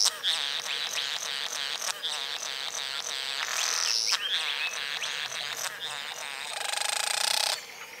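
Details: A courting satin bowerbird repeats harsh, crackling buzzes at a fast pace, with squeaky notes mixed in and a long loud grating whirr near the close before it stops.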